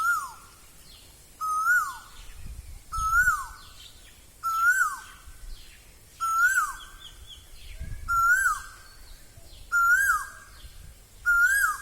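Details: Asian koel in Assam during spring (Bohag), giving a steady series of ringing whistled notes, each climbing then sliding down, repeated roughly every one and a half seconds with little background sound.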